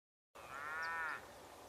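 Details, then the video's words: One of two Suiriri flycatchers perched on an espinillo negro tree in Chajarí, Argentina, gives a single nasal, harmonic-rich call under a second long, slightly rising then falling, over faint hiss. "Suirirí Común (Suiriri suiriri)"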